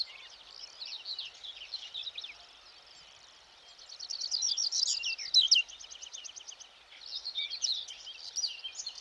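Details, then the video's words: Meadow-singing Whinchat by the Vistula near Błotnik, Poland, on a sunny morning, head swivelling so notes carry different ways, weaving in linnet, black redstart and curlew fragments; soft scratchy warbling, then a fast buzzy rattle, then more chattering phrases. "pokląskwa to jest taki ptak który śpiewa zawsze w Łąkach"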